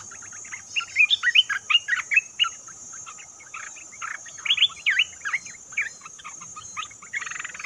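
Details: Olive-winged bulbul lure recording for trapping, with repeated bubbly, warbling phrases of quick liquid notes, loudest early and midway, trailing into softer scattered notes.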